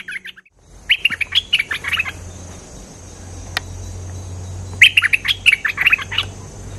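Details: Cream-vented bulbul, a lively lure recording: two short bursts of rapid, chattering, bubbly notes about a second long each, separated by a quiet gap with a single sharp click; faint low rumble in the background.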